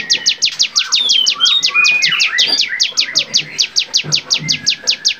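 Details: Bar-winged prinia training recording, lively varied singing: a continuous rapid series of sharp high falling notes, close to three per second, with softer lower warbles and chirps mixed in midway.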